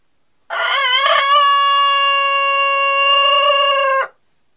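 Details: Denizli rooster crowing near a hen, filmed around mating: one very long, loud, steady harmonic crow held for about three and a half seconds after a brief rising start, ending abruptly, with silence before and after.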